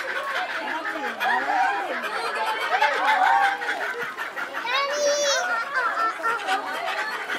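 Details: A laughing kookaburra at Higashiyama Zoo, Japan, gives a raucous, rolling "ahahaha, hohoho" cackle of rising and falling chuckles building into loud hooting laughter, with people's chatter in the background.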